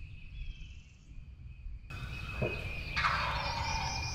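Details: Opening-day 2023 spring hunt in Tennessee, a wild turkey gobbler sounding one loud, broad, rattling gobble after a brief quiet start, as a high bird song continues throughout.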